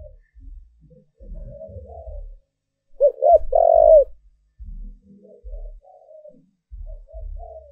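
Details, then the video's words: Caged decoy spotted dove giving its lure call to provoke wild doves: two short hoarse coos then one long drawn-out coo, with fainter cooing before and after and low dull thumps throughout. "Cu Gáy Mồi Thúc/ Gáy Gọi Kích Bổi"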